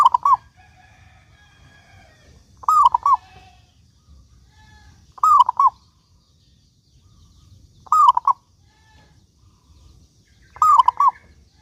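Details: Local zebra dove singing steadily, used to lure other doves into song: five phrases about every 2.6 seconds, each a mellow falling coo trailed by short staccato notes, over faint low hum.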